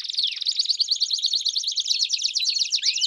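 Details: Belgian canaries singing together, producing a bright, rapid, rattling trill with looping whistled notes woven through it and a downward sweep at the start and the end.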